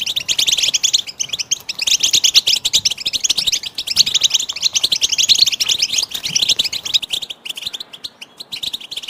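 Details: Goldfinch song from a training tape for songbirds: long, unbroken, high-pitched twittering and rattling trills, very dense, easing slightly toward the end.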